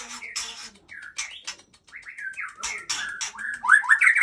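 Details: White-rumped shama of the Aceh type, described as anak balak, delivering a jumbled mix of harsh squawks, buzzy bursts and short whistled slurs, ending in brighter, louder rising whistles.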